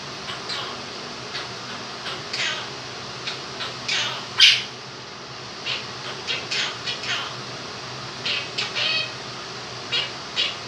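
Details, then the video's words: Two-year-old pet male Quaker (monk) parakeet sings his version of "If You're Happy and You Know It", singing "happy" and "clap your hands" plus do-do-do music: short scratchy chatter and squawky phrases, with fan noise in the background. "Quaker Parrot sings 'Happy And You Know It'"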